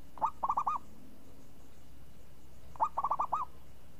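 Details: Zebra dove (perkutut), a champion bird with a crisp, swinging 'renyah ngayun' voice, gives two soft cooing phrases about two and a half seconds apart, each a clipped first note followed by four quick rolling, rising-and-falling coos.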